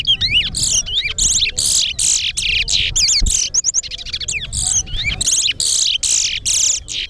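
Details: Towa towa (chestnut-bellied seed-finch) in a competitive bird race at Alligator Pond: energetic song of high buzzy bursts alternating with looping whistled slurs, repeated about every half second, faint voices below.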